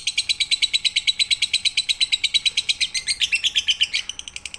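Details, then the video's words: Lovebird in full 'pigter' song from a night-time training recording: a continuous run of shrill chirps that turns into a brief louder, more warbled flourish near the end. "MASTERAN SUARA BURUNG LOVEBIRD COCOK UNTUK MALAM HARI FULL PIGTER"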